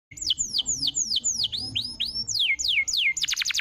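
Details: A canary's lure song, used to spur other canaries into singing: a fast series of high whistled notes that sweep downward, about three per second, ending in a rapid buzzy trill.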